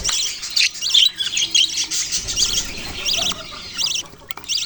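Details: Budgerigars give bright, rapid chirps and short warbled notes, some repeated in quick stacked pairs, over a constant background of flock chatter.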